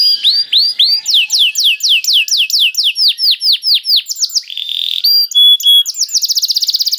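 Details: Canary singing, used as a lure so other canaries sing: a long string of high falling swoops, about four per second, followed by buzzy notes and a rapid trill.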